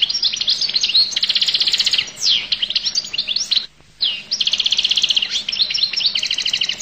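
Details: Goldfinch from Collo singing energetically, mixing dry buzzy trills with sweet slurred whistles and quick chirps, with a short break midway before the tumbling high song resumes.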